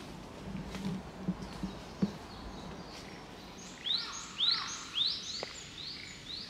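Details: A Japanese bush warbler, hidden in undergrowth in a park during Golden Week, gives four or five sharp, rising whistled notes about half a second apart, after a few soft low thumps.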